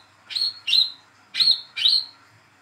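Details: Young captive olive-backed sunbird, hand-reared, calling to prompt a bird that has stopped singing: two pairs of quick, sharp high chirps, each pair close together, with a short gap between pairs.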